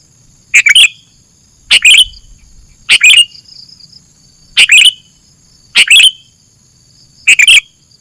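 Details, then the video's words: Luring song of a sooty-headed bulbul: six quick, cheerful phrases of two or three chirped notes, repeated about every second and a quarter, over a faint steady high-pitched hum. "suara burung kutilang buat mikat"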